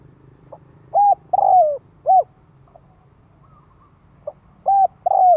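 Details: Spotted dove calling, a sound used to lure other doves: a short soft note, then a loud three-part coo (short coo, long drawn coo sliding down, short hooded coo), with the phrase starting again after a pause.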